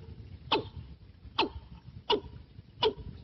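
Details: Watercock used as a decoy in trapping: four loud, short calls, each a sharp falling note with a bright upper edge, spaced under a second apart over a low rumbling background.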